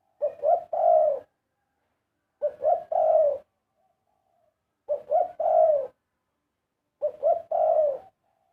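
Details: Spotted dove delivering melodious cooing phrases, each a short double coo followed by a long, slightly falling coo, repeated about every two and a half seconds in a quiet setting.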